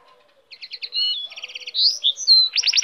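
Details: Goldfinch hybrid song fragment: quick series of ticking notes, a clear level whistle, then a fast buzzy trill and a climbing run of bright chirps that grow louder toward the end.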